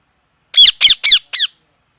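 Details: Four loud, grating parrot squawks delivered in quick succession, each a rich, harmonic cry that slides downward in pitch, the last one shorter and softer. No other sounds.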